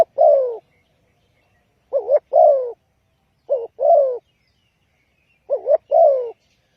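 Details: Spotted dove coo used to lure wild doves into traps: mellow low phrases, each a quick doubled note and a longer descending coo, repeated four times at uneven intervals.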